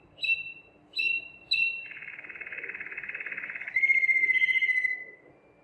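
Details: Belgian Waterslager canary, bred for a clear melodious song with water-like sounds, in training; three sharp notes, then a long buzzy rolling trill flowing into a pure whistled tone that slowly falls.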